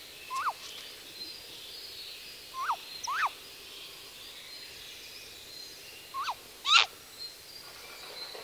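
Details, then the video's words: Contacting calls of a nesting female great grey owl: brief rising-then-falling yelping notes, some doubled, spaced irregularly a few seconds apart, with one sharp click-like noise and the male's lower voice faintly behind. "Strix nebulosa (Great grey owl) 2. Contacting calls of female on the nest"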